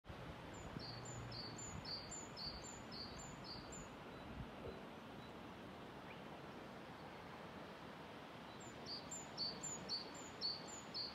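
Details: Great tit singing on 28 February 2024 along the Ryggisspåret trail at Haga, where many great tits were about: two-note phrases, a high thin note then a lower one, repeated about twice a second in short bursts at start and end, over steady background rumble.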